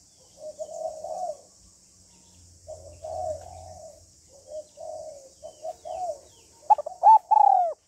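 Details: Calling female spotted dove urging on a male. A long run of quiet, hoarse cooing phrases builds into a few loud, clear arched coos at the close.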